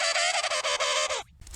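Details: Little penguin (Eudyptula minor), call.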